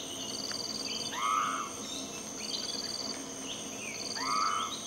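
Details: Blyth's frogmouth calling in forest: two arched, slurred whistles that rise then fall, about three seconds apart, over steady pulsing insect trills and a constant high insect hiss.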